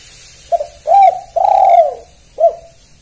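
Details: Spotted dove cooing: a short low note, then a long hoarse coo and a drawn-out wavering coo falling at the end, followed by a brief clipped note, all low and mellow, set in a quiet indoor background.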